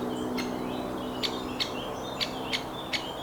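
Great spotted woodpecker giving seven sharp, explosive 'kik' notes at an uneven pace, about two per second, over faint thin whistles from other birds.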